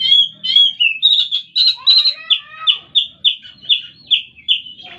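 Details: Oriental magpie-robin in full song: opening warbled whistles, then a string of clear, similar downslurred notes repeated about twice a second.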